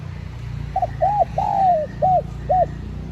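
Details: Spotted dove coo sequence used to lure wild doves ('gọi bổi'): a brief soft note, an arched coo, a long sliding coo, then two clipped arched coos, clear over faint low hum.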